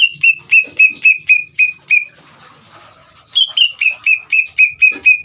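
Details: Greater green leafbird bait song to make another leafbird respond: eight clear whistled notes in quick succession, a short spell of faint hiss, then nine more, the first few higher, over a low background hum.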